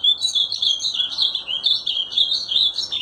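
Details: Short stretch of azulão song, a dense, unbroken chain of bright, high, wavering chirps delivered rapidly and loudly.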